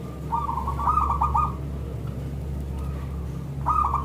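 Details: Local zebra dove giving a bright, thick-toned lure call meant to draw replies from other zebra doves: a rapid stuttering phrase of ringing coo notes lasting about a second, then a fresh phrase starting near the end, over a steady low hum.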